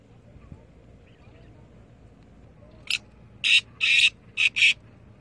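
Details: Black francolin, known locally as kala teetar, calling: after about three seconds of quiet outdoor background comes one short rasping note, then four loud, harsh, grating notes in quick succession.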